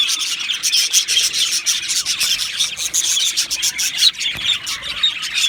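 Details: Two male Australian budgies in rapid chirping chatter, high and buzzy, with quick squeaks that rise and fall in loudness about every half second.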